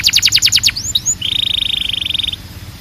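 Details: Belgian canary song, described as calling the other canaries to sing: a rapid burst of falling notes, two upward slurred whistles, then a long even rattling trill of quick repeated notes.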